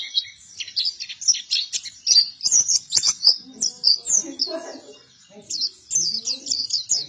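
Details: Vigorous song from a buktoni-type white-eye: dense bursts of high, chattering twitters, tumbling fast, pausing briefly near the five-second mark before resuming, with low murmuring noise underneath.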